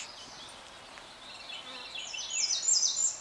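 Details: A male American redstart singing on territory at Methow Community Trail, Methow Valley, Okanogan County, Washington, on 16 June 2013: a thin, very high series of quick notes growing louder, ending in sharp, downslurred phrases.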